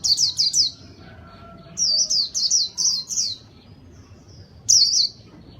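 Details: White-eye song used for luring: short groups of high, bright downslurred chirps, three, then five, then a final pair, separated by quiet gaps with a faint background whistle.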